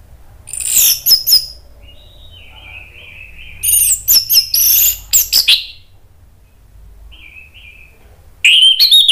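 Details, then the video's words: Orange-headed thrush delivering an agitated song to provoke other birds: short bursts of high, squeaky chattering and whistled notes with quiet warbled phrases between, ending on a loud, sharp outburst. "ANIS MERAH spontan EMOSI NRATAK terus NGEPLONG ¦ PANCINGAN AM"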